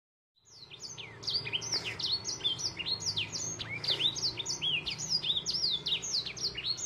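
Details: Crested canary from Gunung Kidul, Indonesia, singing trained 'isian' song: a fast, continuous run of high whistled notes, each sweeping quickly downward, repeated several times a second after a brief quiet start.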